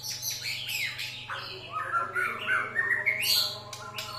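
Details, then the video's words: White-rumped shama song used to provoke other birds; varied loud whistles, harsh squawky notes and rising slurs in rapid irregular succession, over a steady low electrical hum. "Pancingan Emosi Murai Batu"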